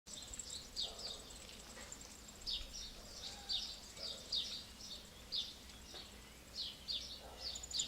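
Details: Eurasian wryneck chicks, fed termites, ants and other insects by their parents in Alzira, Valencia, in May 2016, give high, hissing, buzzy begging calls in quick repeated bursts, about one or two a second, over a faint noisy background.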